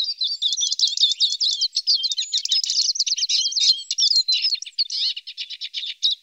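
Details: Eurasian siskin feeding on alder cones, giving a fast, unbroken twitter of high, thin chirps and trills for about six seconds, with no other sounds.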